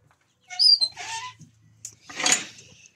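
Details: A borrowed Pekin-cross rooster gives a brief, hoarse crow with wavering tones, then a harsh, raspy burst a second later; faint low hum in between.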